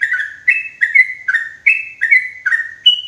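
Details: A trapping lure of sooty-headed bulbul, loud and clear for use in forest: slurred whistled chirps, some two-parted, repeated about every half second, with one higher note at the end.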